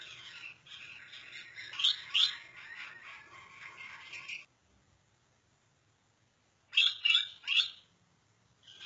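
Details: Gouldian finches in breeding mode, dancing in display; thin, buzzy high chirping for about four seconds with a few louder squeaky notes, then silence, then a short burst of three sharp squeaks.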